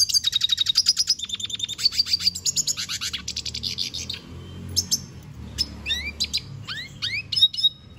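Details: Energetic song of a Venezuelan goldfinch: steady, rapid rattling trills and twittering at first, easing into scattered high chips and bright upward-swept whistles.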